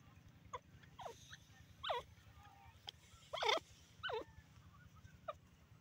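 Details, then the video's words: Female francolin calling, a series of short harsh rising notes in separate bursts about a second apart, the loudest pair near the middle, over a low steady hum. "orignal teetar awaz"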